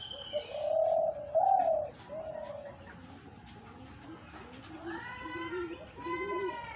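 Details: Dove linked to hunting, cooing in two strong drawn-out low notes, then fainter rising and falling coos with some other noisy sounds behind.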